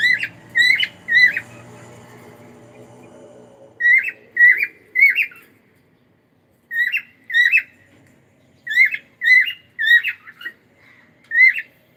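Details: Cockatiel singing sharp rising-and-falling whistled notes in groups of three or four, about two per second, with a low hum fading out early on.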